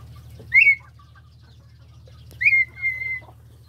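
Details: Red-winged tinamou (perdiz) calling with a short rising whistle, then after a pause a longer phrase: a rising whistle running into a drawn-out level note, over a steady low hum.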